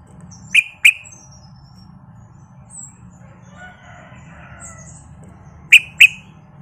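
Yellow-vented bulbul giving two pairs of sharp, bright chirping notes, with a faint bubbly warble in between over a low background hum.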